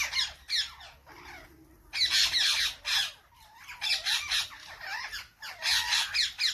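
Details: Parrots trading loud harsh squawks in separated bursts, screechy rasping calls with bending whistled notes between them and short quiet pauses.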